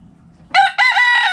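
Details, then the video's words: Backyard rooster crowing among chickens playing in the dirt: after a quiet low rumble, a loud, rich, harmonic crow bursts in, breaks briefly, then holds a steady, strained note to the end. "Chicken Noise Sound Roosters Crowing Hens Clucking!"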